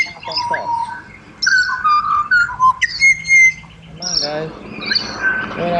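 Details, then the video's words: Singing pied butcherbird, Australia. Fluting whistles, held and slurred, come in clusters, followed by rougher, harmonic-rich notes and busy background chatter. "BUTCHER BIRDS Serenade / Serenata de Pajaros Carniceros"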